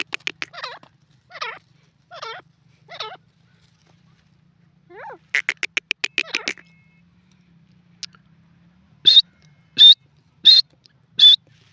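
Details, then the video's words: Gora teetar, the grey francolin, calling: a series of rough, lower chattering phrases, then a brisk run of ticking notes. The clip ends with five loud, piercing high notes repeated about every half second. "grey francolin and gora teetar ki awaz"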